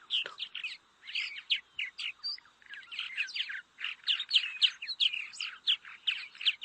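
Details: Purple Martins, a colony-nesting swallow relying on human-made nest housing, give their iconic rich, gurgling chatter of croaks and chirps, tumbling together in quick bursts with barely a pause.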